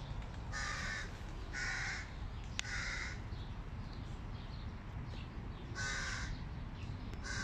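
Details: Begging hooded crow chicks, hungry and calling at their food-carrying father: four separate harsh, scratchy rasps with gaps of about a second between them, plus a single sharp click and a low background rumble.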